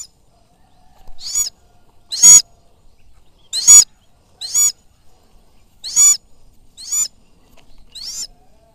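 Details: Sulawesi goshawk (Accipiter griseiceps), a falconry bird out hunting, giving sharp, high, harsh calls, seven in nine seconds at an uneven pace, with a quiet background.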